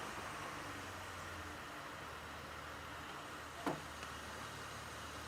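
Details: A steady low vehicle engine hum and broadband hiss run throughout with a single sharp click near the end, and no animal is heard.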